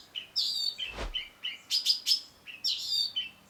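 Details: Long-tailed shrike (cendet) in lively gacor singing, used as a masteran training recording: sharp high chirps and short whistled notes in uneven bursts, with a brief low thump near one second.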